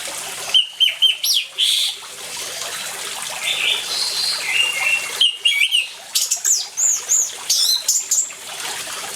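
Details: Energetic orange-headed thrush song mixed with water noise, used to prompt silent birds: rapid chains of clipped, bright whistled notes and fluty slurs, several quick phrases in a row, with a background rush of water between them.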